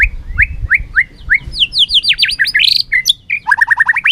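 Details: White-rumped shama singing competitively and flicking its tail: a series of rising whistled upslurs, then a fast tumbling run of varied whistles, ending in a quick string of short repeated notes.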